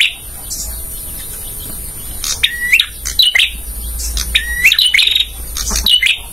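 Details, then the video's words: Song of a male bar-winged prinia used for training caged birds: bright, high chirped phrases with upward-hooked notes, repeated roughly every second in short clusters, with a thin constant high-pitched hum underneath. "suara masteran burung prenjak jantan"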